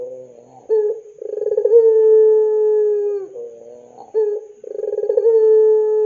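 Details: Spotted dove, an active singer, cooing to prompt young doves to sing. Two phrases each begin with short notes and a vibrating buzzy onset, then settle into a smooth long low hum.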